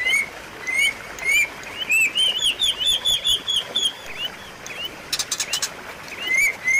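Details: White-rumped shama delivering repeated upslurred whistles, then a fast run of bright notes and a brief harsh rattle, meant to coax a silent caged bird back into song.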